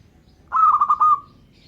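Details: Perkutut, a local zebra dove, delivering a single trilled cooing phrase: rapid pulsed notes merging into a sustained closing coo, then silence with light background hum.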